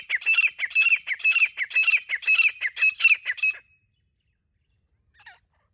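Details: Female grey francolin from a hunting setting calling in a fast, steady series of about a dozen harsh, ringing squawks over three and a half seconds, then silence broken by one faint distant note.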